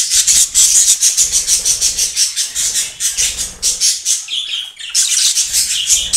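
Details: Budgerigar breeder pair, yellow, blue and green, chattering continuously with fast pulsed scratchy notes and a few clearer whistled phrases toward the end.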